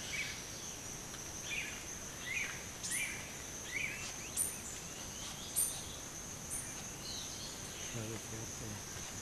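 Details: Ocellated antbirds, a pair, at an army ant swarm along Pipeline Road: a series of short, descending notes repeated roughly every second, over a steady high insect whine and faint forest background.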